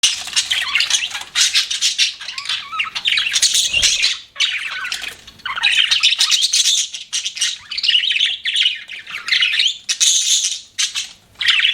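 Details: Pet budgerigars chirping, a dense run of squawky, scratchy warbles and chatter in bursts with brief pauses, high-pitched and nearly continuous over the stretch.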